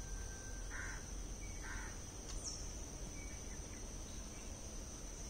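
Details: Two brief, coarse, croaking calls from a Malabar grey hornbill about a second apart, followed by faint thin whistles over a steady insect hum.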